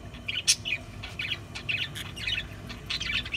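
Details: Short budgie calls: a loud sharp squawk followed by scratchy chirps and small warbled phrases, over low rumbling background noise.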